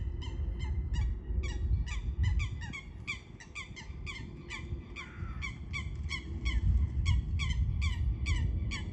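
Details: Eurasian coot calling persistently: nasal, downward-slurred notes stacked with overtones, tumbling out irregularly about three a second for several seconds, over a low rumbling background.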